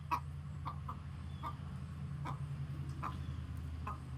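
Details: A chicken gives sharp, clipped clucks, about seven in four seconds at an uneven pace, over a steady low rumbling hum; these are described as warning calls to the flock.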